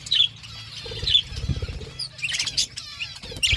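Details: Budgerigar flock eating food, a mix of short high chirps and warbling chatter from several birds, with soft fluttering, pecking and low rumbling noise below.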